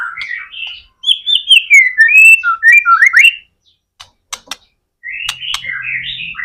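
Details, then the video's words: Vigorous singing of a white-rumped shama, used to coax other shamas into song: a string of clear sliding whistles and quick upsweeps, a few sharp clicks, then a warbled phrase. "MURAI BATU GACOR AMPUH BUAT PANCINGAN MURAI BATU AGAR CEPAT BUNYI"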